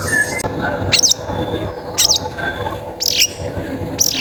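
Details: Long-tailed shrike in full song, played as a lure to prompt other shrikes to sing: harsh, rasping broadband calls, each a brief burst, repeated roughly once a second over a low background hum.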